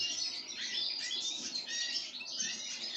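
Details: While fed sunflower seeds, a pine grosbeak produces a dense, continuous stream of high twittering, warbling notes with brief clear whistles woven through, steady in loudness throughout.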